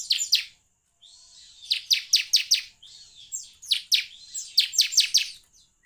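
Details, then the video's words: Bar-winged prinia (ciblek) song used as a lure to make captive birds start singing. Short rapid series of piercing, downslurred chirps come in three clusters with brief gaps, over faint high twittering between them. "pancingan ciblek semi agar bunyi"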